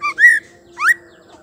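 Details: Female white-rumped shama calling to rouse male singing: two short, clear whistles, the first level and arched, the second a steep upward slur, with a faint low hum behind.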